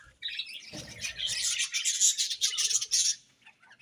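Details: Morning chirping of budgies: after a short silence, a continuous run of rapid, buzzy, high-pitched warbling and chatter builds and holds for about three seconds, then fades, with soft low rustling early on.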